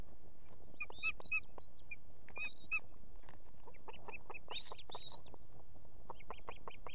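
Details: Osprey female on the nest with two young in Estonia, calling the male to deliver food in the evening: bursts of shrill, downslurred whistles in quick series, repeated through the recording, against low background rumble.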